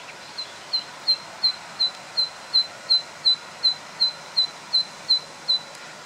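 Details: A very loud zitting cisticola, 24 June 2013, repeats sharp, high 'zit' notes, nearly three per second, in a steady series over faint background hiss.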